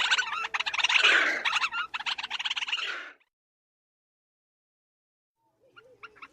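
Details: Black Crake, a swamp-edge bird of reed beds and emergent vegetation, gives a loud, wheezy bubbling chatter of rapid notes for about three seconds, then silence and a few faint chattering notes at the end.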